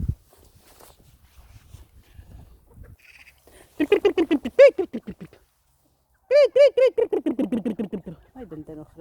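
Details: Chickens giving two bursts of rapid, harmonic clucking notes, about a dozen in each, dropping slightly in pitch through each burst, with a quiet pause between them.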